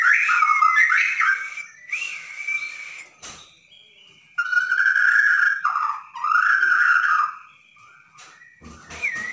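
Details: White-rumped shama of the Borneo form singing nonstop in the 'dar der dor' style, played to provoke a silent bird into song: loud whistled phrases, some sliding and warbling, broken by short pauses and a sharp click.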